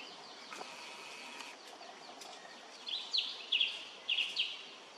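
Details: A male Indochinese blue flycatcher (Cyornis sumatrensis) at Khao Yoi arboretum, Phetchaburi, Thailand, on 13 May 2023, gives five short, sharp, high ticking notes in about a second and a half over a steady background hiss.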